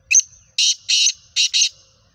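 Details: Black francolin (Kala Teetar), called a Sheedi cross with a nasal chakri style: a grating five-note phrase, a short thin opening note, two long rasping notes, then a quick rasping pair, loud and clear against near silence.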